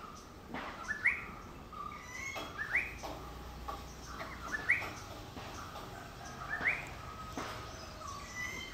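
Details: Yellow-browed bulbul from Idukki, Kerala, giving brief, bright rising whistles, about four in nine seconds at uneven intervals, against a constant noisy hiss.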